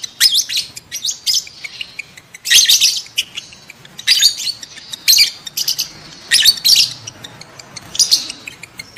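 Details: Sound of lovebirds ready to breed, meant to encourage adult lovebirds to mate: repeated loud bursts of high, shrill, squeaky twitter, each about half a second long, recurring every second or so amid clicking.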